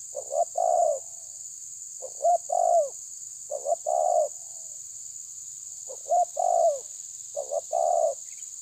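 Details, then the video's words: Rival-challenging spotted dove, terkukur tabir style, gives five evenly spaced coo phrases. Each is a stuttered pair of notes ending in a longer downward-sliding coo, over steady background hiss. "Terkukur menekan lawan bikin emosi ~TERKUKUR TABIR"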